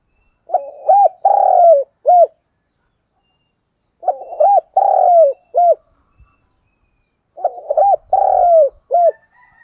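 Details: Spotted dove lure call, meant to be played in the morning to draw doves in quickly. The cooing phrase comes three times, about every 3.5 seconds: a short note, a hooked note, a long drawn coo, then a closing note. The background is quiet.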